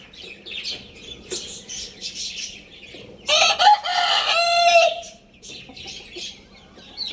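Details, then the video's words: A Lohmann Brown rooster gives one loud, raspy crow that lasts about a second and a half and ends in a drawn-out note. Busy high chirping from other small birds fills the time before and after. "Roosters Crowing Compilation | Rooster Crowing Sound Effect | Good Morning"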